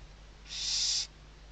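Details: Western barn owl at a webcam-watched nest in Riet Vell Nature Reserve, Ebro Delta, Tarragona, Spain, 2023 season, chicks moving under the mother's wings; a single harsh, breathy hiss of about half a second against a low steady hum.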